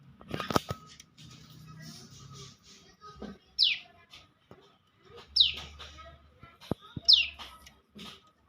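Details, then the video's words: Bar-winged prinia of champion standard repeating a loud, clear downward-sweeping note three times, roughly every one and a half to two seconds, with knocks and a low hum in between. "Suara Prenjak Lumut Juara"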